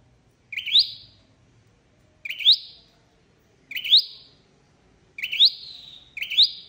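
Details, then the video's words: Flowerpecker calling as bait for trapping birds: crisp rising chips, each ending in a short sliding tail. There are five in all, the last two coming closer together, over near silence. "Tiếng chim sâu đầu đỏ đi bẫy"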